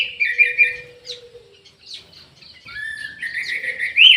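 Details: Aviary-kept orange-headed thrush in full song: rich warbled notes, then a quieter stretch of soft twitters, ending in a long whistle that rises into bright, loud flourishes. A faint steady low hum runs underneath.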